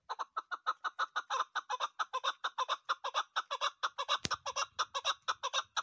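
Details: Female chukar partridge giving a hunting-type call: a fast, even series of loud clucking notes, roughly two per second, continuing throughout, with one sharp click partway through.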